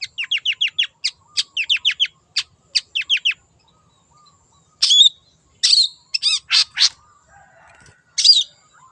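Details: Long-tailed shrike singing in the wild: a fast string of sharp, downslurred chirps repeated several times a second, then after a pause several loud, buzzy, harsh notes.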